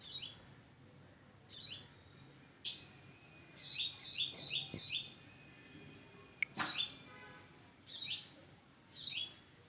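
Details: Parent birds call in front of their nest. High, thin chirps come in short clusters of two to four, with pauses between them. The chirps sit over faint background noise and a few soft thuds.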